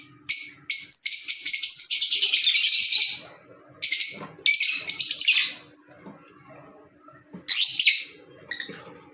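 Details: Pet green Fischer's lovebirds chatter in loud shrill bursts. A long twittering run is followed by shorter sharp outbursts and brief quiet gaps.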